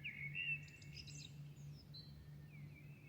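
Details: Singing at dawn in Milan: a loud rich warble with high chattering notes, fading into softer thin whistles, over a continuous low hum.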